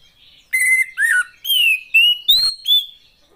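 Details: Clear whistled song of a female Oriental magpie-robin, meant to provoke silent males to sing: six separate sweet notes, flat, falling and rising in turn, spaced roughly half a second apart.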